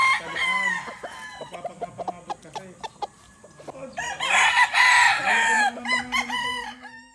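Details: Chickens cluck in quick, uneven series before a rooster gives one long, loud, strained crow with a sustained wavering ending. More clucking follows it.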